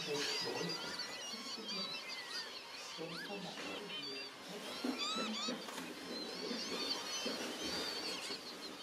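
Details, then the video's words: A flock of northern lapwings calls over one another at WWT Slimbridge, Gloucestershire, while a common snipe feeds nearby: a constant tangle of wheezy, slurred whistles sweeping up and down, with a few murmured human words underneath. "accompanied by a cacophony of Lapwings"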